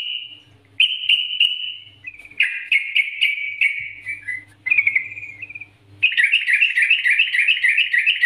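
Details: Yellow-vented bulbul master song, used as a lure to get other birds singing vigorously: bright bubbly warbled phrases that rise and fall, separated by short pauses, then a long rapid chattering run, with a faint low hum behind.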